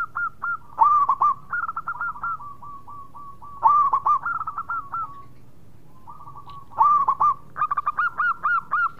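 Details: Local zebra dove, called perkutut, singing in the prized gacor style: bursts of soft trilled cooing notes near one pitch, quick stuttered phrases followed by evenly spaced short coos, repeated three times with brief pauses.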